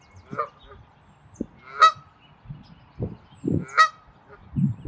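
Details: A Canada goose in territorial defense at Wilde Lake, Columbia, Maryland, on 11 April 2024, gives two loud, harsh honks about two seconds apart over low grunting and rumbling sounds.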